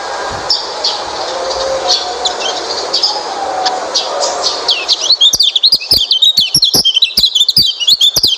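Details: Oriental white-eye song meant to prompt a silent white-eye to sing. A hissy chorus of distant birds gives way to a loud stream of quick, high, slurred chirps in the last three seconds.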